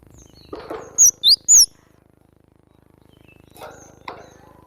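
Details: Cinereous tit singing energetically: three loud, high whistled notes, each sliding down then up, in quick succession, with faint rustling before and soft notes afterward.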